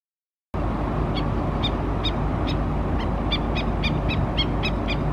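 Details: Black-necked stilt mother giving alert calls to her foraging chicks at Oso Creek, Laguna Niguel, California, April 29, 2017: sharp, high, yelping notes repeated rapidly, under a steady loud low rumble of wind or traffic.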